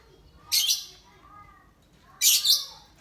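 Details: Lovebird set out to sun in gloomy, overcast weather, a style known as ngekek panjang; two loud, harsh, high chattering bursts about 1.7 seconds apart, with faint lower tonal hum between them.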